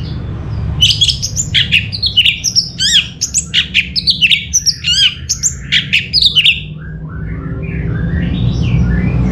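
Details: Orange-headed thrush, or anis merah, from Singaraja in North Bali, in a fast, steady gacor song used as a lure track. Nearly six seconds of dense rapid phrasing with sharp chips, slurred whistles and trills, then softer twittering over a constant low rumble.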